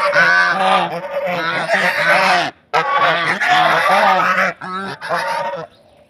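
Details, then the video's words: Domestic geese (rajhans) from Netrakona, now kept in Tangail, Bangladesh, at egg-laying time; they honk like this when strangers enter the yard. Loud harsh honks in overlapping series, several birds calling together, brief pauses near 2.6 and 4.6 seconds. "এখন রাজাহাঁসগুলো ডিম দেওয়ার সময় হয়েছে।"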